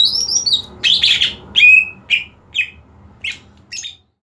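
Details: Green leafbird trained with a competition setup. It gives high slurred whistles, then a descending series of emphatic chipped notes spaced about half a second apart, fading before the end.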